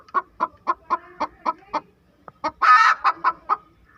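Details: Hen calling after laying an egg: evenly spaced sharp clucks about every quarter second, broken by a long, loud, rasping squawk, then several more clucks.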